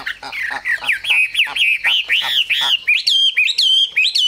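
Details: Chinese hwamei, kept as a cage bird, singing rich swooping whistles that rise in pitch, finishing with high, bright repeated notes.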